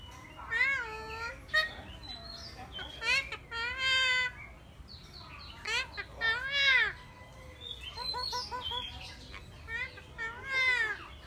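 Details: Eclectus parrot gives loud, arched nasal calls, each rising then falling like a drawn-out meow, spaced every second or two, with quicker stuttering notes in between.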